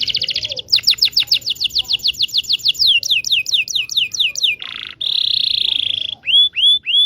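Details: Indonesian local canary singing to encourage silent and young canaries to sing: buzzy opening trill, a long run of fast downslurred whistles, a coarse rattle, a steady high buzz, then clear upslurred notes.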